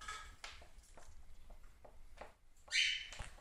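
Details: A female short-billed (little) corella, kept indoors for about 9 years, gives one loud, harsh, rasping screech near the end, after a run of soft scratching and clicking sounds.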